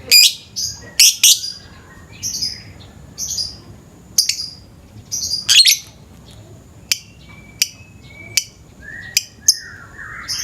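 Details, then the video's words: Morning lovebird in a lure recording: busy run of harsh high chirps and buzzy notes, becoming sparser sharp clicks and squeaks in the second half. "Pancingan suara burung lovebird pagi pagi ngekek panjang"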